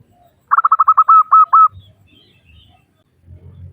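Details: Local female zebra dove calling to males: a fast burst of stuttering mid-pitched coo notes running into three longer, even notes, followed by faint low rumbling.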